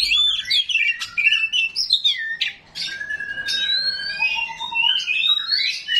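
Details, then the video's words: Oriental magpie-robin, 'rawit' type, delivering rough 'isian kasar' material meant to make rival magpie-robins reply: bursts of quick whistled and scratchy phrases, then a long steady whistled tone with lower sustained notes beneath it. "KACER RAWIT BONGKAR ISIAN KASAR, BIKIN KACER LAIN PASTI NYAUT"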